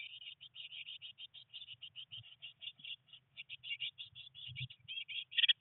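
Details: A rapid, unbroken stream of high, slightly buzzy chirps from three Eurasian blue tit nestlings on their 19th day in the nest box, a rainy day of first flight attempts, with faint low shuffling.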